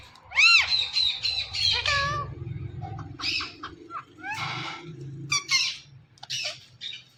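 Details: Indian ringneck parakeet, kept as a talking parrot, indoors. A loud arching screech opens the sequence, followed by raspy squawks, wavering whistles and short harsh bursts. A low humming drone fills the background.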